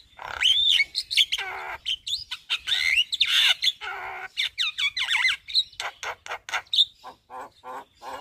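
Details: Javan myna singing its whole repertoire at midday in front of a house: dense jumble of harsh squawks, slurred whistles and chattering notes, closing with a run of short clicks.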